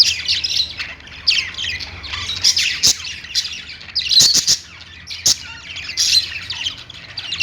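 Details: Budgerigars on a perch give dense, scratchy warbling with rapid chirps and short squawks, broken by several sharp clicks.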